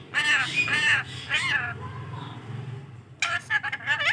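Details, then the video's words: Rainbow lorikeet mimicking human speech, saying "Allah": three short nasal, harmonic spoken-sounding phrases in the first second and a half, a quieter stretch with low background hum, then a burst of harsh broadband squawks near the end. "Parrot saying Allah | cute rainbow lorikeet"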